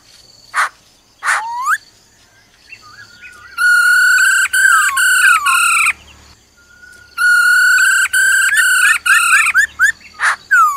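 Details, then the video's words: Female laughingthrush calling "ro ro" to excite a male: long, steady, rich harmonic whistled notes at one pitch, in bursts broken by short gaps, with a few sharp clicks and rising slurs before and after. "Khướu mái ro ro kích trống nhanh căng lửa"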